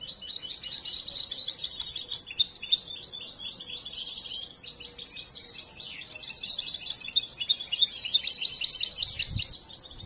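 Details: European goldfinch, a young bird watched from birth and still being trained in its song, delivering rapid high twittering phrases with dense trills, a quieter stretch midway, then louder tinkling runs resuming near the end.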